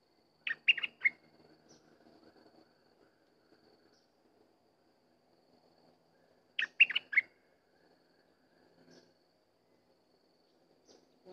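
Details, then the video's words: Sooty-headed bulbul delivering two short bubbling whistled phrases roughly six seconds apart. Each is a rapid cluster of liquid notes. Faint soft chatter fills the quiet between them. "Burung merbah lekir bay hoach thom gacor bahanan"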